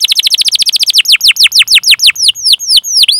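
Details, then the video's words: Canary song made as a training recording to stimulate other canaries to sing: a fast rolling trill of sharply descending notes that gradually slows and lengthens into broader, looping sweeps, clean and loud. "Suara Burung Kenari Gacor Panjang cuit cuit Ngerol untuk Pancingan Kenari"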